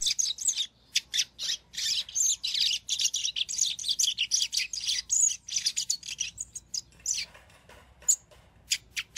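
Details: A Double-collared Seedeater (Sporophila caerulescens) sings a fast, high jumble of sharp twittering notes and buzzy trills, about three phrases a second, with no other sounds.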